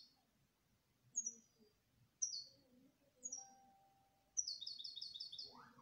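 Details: Singing canary gives three short, high, down-slurred chirps about a second apart, then breaks into a fast, even rolling trill of repeated notes, over faint low background noise.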